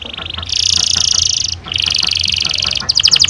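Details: Canary singing a long ngerol panjang roll, meant to stimulate young canaries to sing: two stretches of bright, buzzy, steady trill separated by a short pause, followed by quick falling chirps.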